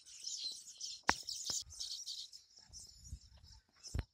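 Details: Baya weavers at their many nests on one tree during monsoon nest building: high sizzling chatter broken by loud knocks, then fainter calls over low rumbling.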